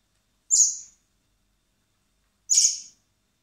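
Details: Common blackbird chicks being hand-fed in spring at a wildlife recovery centre before release; two short, high, hissing-squeaky begging notes about two seconds apart, otherwise quiet.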